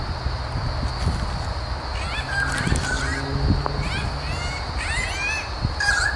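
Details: A pair of currawongs in Royal National Park south of Sydney, trying to protect their nest from a lace monitor climbing the tree; bursts of harsh, rasping calls sweeping upward, clustered midway and near the end over low rumbling background noise.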